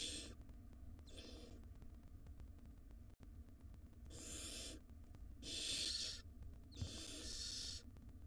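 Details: Wild barn owl chicks in a nest box begging while one swallows a huge rodent and the mother feeds siblings; rough snoring hisses, one to three per couple of seconds, over constant low hum.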